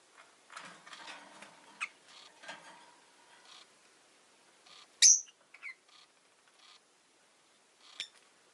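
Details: Rosy-faced lovebird giving a few sharp, high chirps scattered among soft, faint twittering, with one loud bright chirp near the middle and another near the end.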